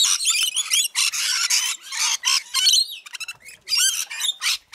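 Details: Feeding frenzy of rainbow lorikeets in Mount Tamborine, Queensland, Australia, with loud overlapping screeches, rasping chatter and sharp squeals crowding together, then breaking into quicker staccato squawks near the close.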